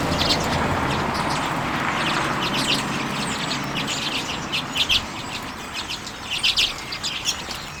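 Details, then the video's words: A flock of common redpolls eating sunflower seeds in late January 2022, filmed with a Canon EOS M50: high buzzy chirps and twittering notes come in clusters over low rumbling background noise. "Auðnutittlingar - carduelis flammea - common redpolls"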